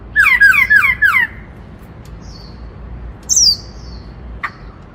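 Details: Black-throated laughingthrush, a caged bird, delivering its loud "Bắt Cô Trói Cột" song to excite other birds: a quick run of four falling slurred whistles, then thin high drawn-out whistles with pauses between.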